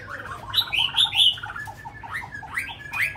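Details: Brief burst of song from a tame caged Chinese hwamei in Hanoi, Vietnam: a few bright, rising whistled notes, then rolling, gurgling warbled phrases over a faint low hum.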